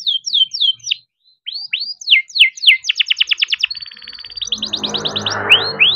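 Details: Young farm-bred canary singing: rising whistled slurs repeated about three per second, then a fast trilled roll and a steady whistle, followed by more rising notes over a rising background hiss.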